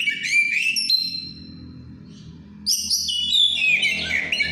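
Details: Over-aroused breeding white-rumped shama in ngeplong style: a burst of bright whistled phrases and trills, a near-silent second-long pause with a low steady hum, then another rapid, varied whistling run.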